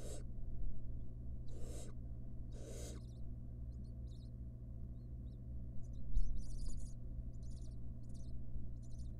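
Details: Wild barn owl mother with nestlings in a monitored nest box: three harsh, breathy hissing screeches, each under half a second, then a run of quieter high chittering bursts over a low hum.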